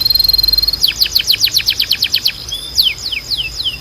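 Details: Canary song played to train birds to sing: a rapid buzzy trill, then a fast series of descending sweeps several per second, ending with slower spaced down-slurred notes.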